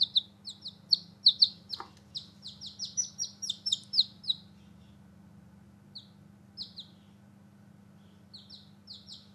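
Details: Newborn baby chicks playing outside, a rapid burst of loud, high, downslurred peeps in the first half, then sparser chirps after a pause, with a soft low hum beneath.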